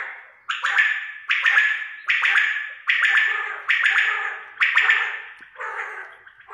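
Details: Quail calling in a clear recording: seven loud, harsh, raspy bursts, each fading with an echo-like tail, repeated about every 0.8 seconds against a silent background.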